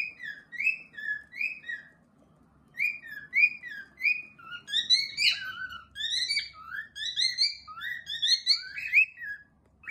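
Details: Several pet cockatiels whistle, starting with spaced, swooping single notes that build into overlapping, busier higher-pitched whistles from more than one bird.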